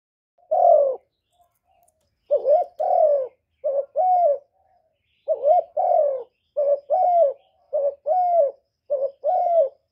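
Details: Kept spotted dove cooing to lure wild doves to the trapping spot, recorded without background noise: low, mellow coos in short clustered runs, some wavering and some drawn out and falling, separated by brief silences.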